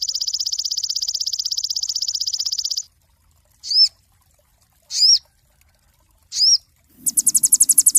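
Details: Cinereous tit singing, a master recording for training songbirds: a rapid high buzzy trill of evenly spaced notes, three short arched whistles about a second apart, then the fast trill starting again.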